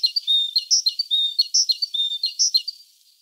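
A tit sings a high, bright phrase of quick whistled notes, repeated about every 0.8 seconds with a clear rhythmic pattern. No other sounds stand out.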